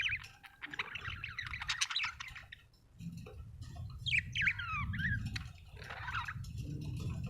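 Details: Budgerigars, described as Australian birds, chirping: busy overlapping warbles, squawks and chatter in the upper range, with quick rising and falling notes, over a steady low background rumble.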